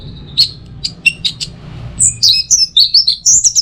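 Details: Song of an orange-headed thrush, used as a training recording for the teler style. Scattered sharp chirps give way to a dense, rapid run of high twittering and whistled notes.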